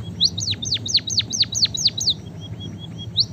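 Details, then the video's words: White-headed munia (emprit kaji) singing actively: a quick run of high, thin downslurred notes about three a second, then a pause before one more note over a low hum. "emprit kaji gacor"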